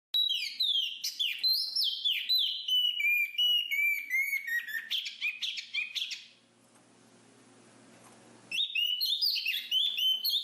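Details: Black-capped babbler song: quick, varied whistled notes sliding and chirping high, densely packed for six seconds, then a short stretch of faint hiss before the bright chirping phrases return.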